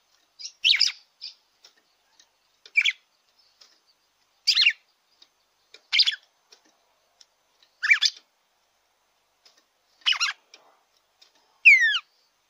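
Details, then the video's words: Song of the red-cowled cardinal, used to warm up a caged bird: a run of seven quick chirpy phrases roughly every one and a half to two seconds, ending with a clear falling whistled note. "ESQUENTE SEU GALO DE CAMPINA."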